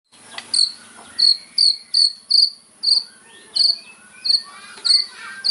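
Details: White-rumped shama in hard-hitting fighting song, known as kretekan, meant to provoke rivals: sharp, clipped high whistles repeated roughly every half second, interspersed with softer sliding notes, over a low steady hum.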